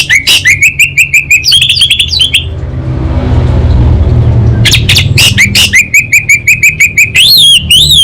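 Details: Energetic song from an orange-headed thrush of the Anis Bata type: rapid strings of pulsed whistles, a noisy rushing break in the middle, then fast rhythmic notes resuming with a rising-falling trill.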